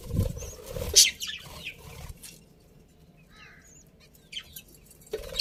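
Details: Happy pet budgerigars in a colony, sparse high chirps and thin whistled notes with quiet gaps, some low thumps and rustling at the start and end.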